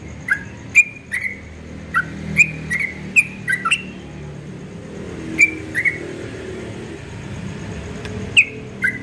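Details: Dawn ropel song from a Yellow-vented bulbul: a string of crisp, downslurred chirps for about four seconds, a long pause, then a few more scattered notes above a low, noisy background.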